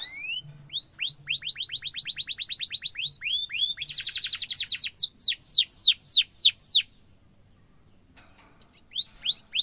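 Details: Canary singing a long rolling song, recorded as tutor material for training young and adult canaries; rapid upswept whistled notes repeated about three per second, a dense buzzy roll midway, then a pause and renewed whistles.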